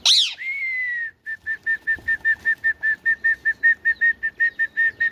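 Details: Indian ringneck parakeet, a talking parrot, opens with one loud harsh screech, then gives a fast run of short, even, whistled notes on one pitch, about two or three per second, over a quiet background.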